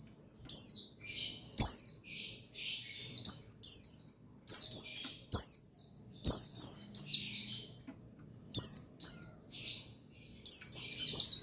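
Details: High, downward-sweeping chirps of a male buxtoni white-eye, played to stimulate silent birds into song. Notes come in irregular groups of two or three, separated by brief gaps, with faint low background noise.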